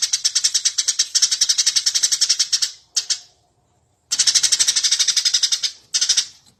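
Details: Eurasian tree sparrow in full, lively song for use as training material for cage birds: a long unbroken string of fast, scratchy high chirps lasting about three seconds, a silence, then another long run and a short burst.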